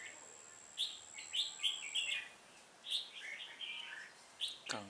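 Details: During trapping on 1 October 2018, a decoy red-whiskered bulbul sings to lure rival birds: two clusters of quick, bubbly whistled notes separated by a pause, and a brief low sliding sound at the very end.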